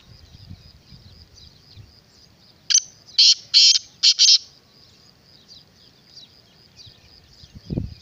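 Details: Black francolin (kala teetar) delivers a rhythmic series of five loud, harsh, grating notes spaced about half a second apart, over a faint steady high hiss and low background rumble.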